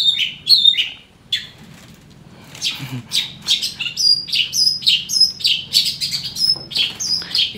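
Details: Caged Long-tailed Shrike around eight months old, said to be in strange condition, delivers scratchy notes, a pause, then a fast chattering sequence of high clipped whistles and rasps, roughly two per second, over faint background talk.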